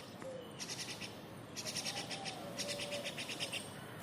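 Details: A grown, self-feeding myna chick gives harsh, rasping begging calls in quick rhythmic bursts, several per second in three runs, while its parents still feed it, though scolding. Faint low whistles sound behind.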